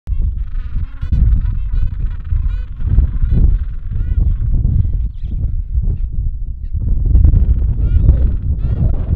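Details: Gentoo penguin just back from feeding at sea, singing with its mate at the nest at the Bull Roads colony before they swap places; two-week-old chicks present. Harsh, harmonic braying phrases repeat throughout over heavy low wind rumble.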